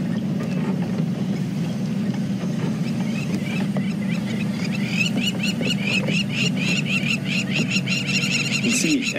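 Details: During a morning safari drive, plovers raise a frantic chorus of sharp, rapid alarm notes from halfway through as a lioness of the Tsalala pride passes, though unlikely to raid their nests, over a steady vehicle engine rumble.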